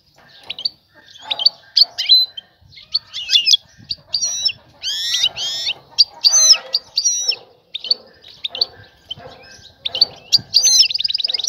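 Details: European goldfinch linked to a female calling a male for mating: lively high twittering with rapid liquid trills, sweeping downward notes and buzzy bursts, nearly continuous, in a quiet setting.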